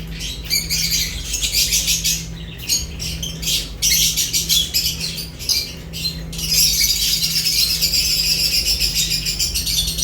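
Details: Several lovebirds chatter while eating. Choppy bursts of harsh, high squawks build to a sustained, dense chorus in the second half, with a steady low hum.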